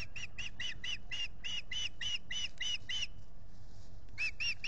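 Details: Nesting osprey pair at Salt Point near a lake, filmed by nest camera on April 19, 2021. About eleven rapid, shrill whistled chirps, a short pause, then three more, with a faint low rumble beneath.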